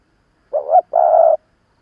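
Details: One coo phrase from an experienced decoy spotted dove used to rouse wild rivals: a brief wavering note, a short gap, then a sustained level hum lasting under half a second.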